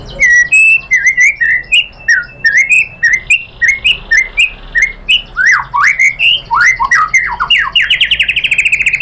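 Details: White-rumped shama lure song: a steady string of repeated upslurred whistled notes, about two per second, speeding into a rapid, rising trill at the close.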